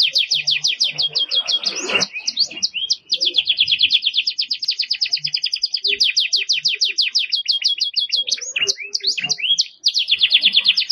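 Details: Belgian canary singing a vigorous tutoring song for young birds: long rapid trills of repeated chirped notes, shifting between tours with brief pauses near three and ten seconds, plus a few soft low knocks and a rustle.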